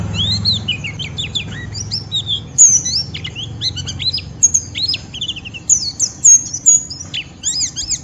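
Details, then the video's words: Ngeriwik song of a white-eye used to draw other white-eyes into song: lower warbled twitters at first, then bright, piercing high chips and squeaks in quick irregular clusters, with a light hum early on. "Pleci Ngeriwik Merangsang Lawan"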